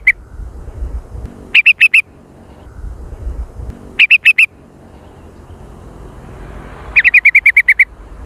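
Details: Sooty-headed bulbul chattering lure call in the jontrot style, described as super active and noisy: a single chirp, then two short clusters of three notes, then a rapid descending string of about eight chirps.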